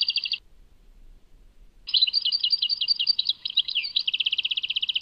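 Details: European goldfinch, Tadmait song: a brief trill, then a pause of about a second and a half. Next comes a string of tinkling, buzzy phrases that speeds into a long, fast, regular trill. The setting is quiet.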